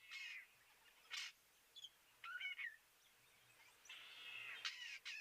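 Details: Cape crow gives about five harsh, rasping caws at uneven intervals, some short and some drawn out, at a waterhole on 13 January 2023, with brief higher chirps from starlings, weavers and other birds in between.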